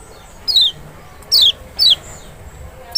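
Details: Lemon-bellied white-eye of the large Lombok or Sumbawa type, caged, singing to prompt a quiet bird to respond: three high, thin downslurred whistles spaced about half a second apart over low hum.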